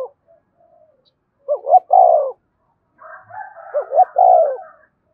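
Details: Spotted dove cooing to entice other doves: two low phrases of short hooked notes and a drawn-out falling coo, the second blended with a fainter, higher wavering call.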